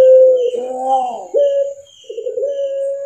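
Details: Barbary dove of the puter pelung type, a captive Indonesian collection bird with a black neck ring, mastered recording: a short low coo rolls and rises in a gurgling phrase, then holds level, pauses, and restarts with a rough, trembling coo.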